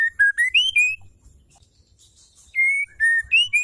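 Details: Female white-rumped shama, calling so that males start singing; the end of one whistled phrase rising to higher notes, a pause, then another run of clear whistles dropping and climbing again.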